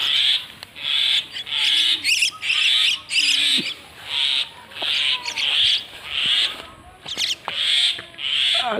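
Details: Common myna (shalike, xaliki) giving loud, raspy, breathy calls about once per second, each a short noisy burst, with scattered clicks and faint chirps between.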